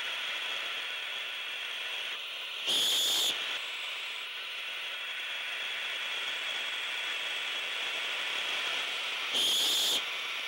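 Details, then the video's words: Owlets waiting at night for prey delivery keep up a low continuous hiss, broken twice by short, louder breathy hisses about seven seconds apart, described as defensive hissing by an adult owl. "Defensive Hiss"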